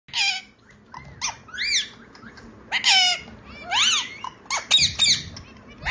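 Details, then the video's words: Pet parrot starts talking on seeing a phone, giving a run of harsh, speech-like harmonic squawks and chattering bursts with rising and falling inflections, short pauses between phrases, indoors. "Mummy ka intelligent nd pyara mithu ❤️ phone dekhte hi bolna shuru kr deta hai"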